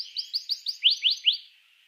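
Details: Short canary phrase meant to get other canaries singing: a series of about eight quick downslurred whistled notes, spaced roughly every 0.15 seconds, fading out.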